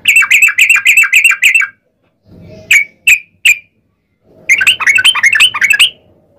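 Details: Bubbly 'ropel' song of a yellow-vented bulbul, used to prompt other bulbuls to answer: a fast run of repeated ringing phrases, three spaced single notes, then a final hurried chattering burst.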